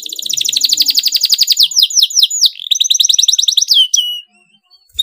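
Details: Canary in excited rolling song meant to trigger singing from other canaries: a long unbroken run of rapid rich trills with swooping downward notes, tightly packed, ending in a falling whistle and silence.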